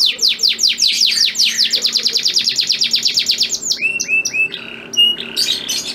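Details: Male canary song for a female in breeding condition; sweeping notes speeding into a long rapid trill, followed by short rising whistles and a buzzy burst.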